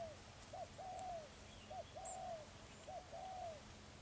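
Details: Spotted dove used as a decoy for ground trapping, in the 'thổ gù rước' cooing style: three soft low coo phrases, each a short rising note then a long level note, about a second apart, over a quiet background.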